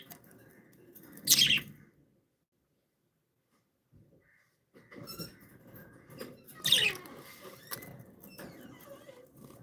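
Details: Happy, playful pet budgerigars give two loud, harsh chirp bursts about five seconds apart. Softer chattering and low background noise fill the gaps, with a brief near-silence between them.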